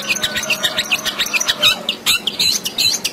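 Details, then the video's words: Energetic long-tailed shrike 'gacor' song from a training recording for lazy singers: rapid, squeaky, twittering phrases of varied chirps and short warbles repeated in quick succession, about two notes per second, with a quiet background hum. "Cendet Gacor Full Isian"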